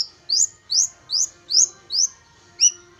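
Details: Young long-tailed shrike taken from the wild, tamed for about three months and now singing often: five rising, slurred whistled notes spaced about a third of a second apart, then a sharper note with a lower echo.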